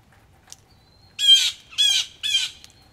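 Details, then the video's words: Agitated blue jays give three harsh jeer calls in quick succession, each about a third of a second, at a Missouri farmhouse front porch with rain dripping from the gutter. "there are some mad blue jays"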